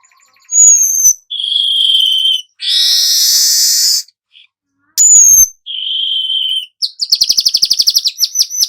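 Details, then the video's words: Golden-headed weaver song meant for training songbirds: thin high whistles, nasal wheezy notes, a harsh sizzling burst, and at the end a quick rattling trill of repeated sharp chips. "suara manyar kepala emas"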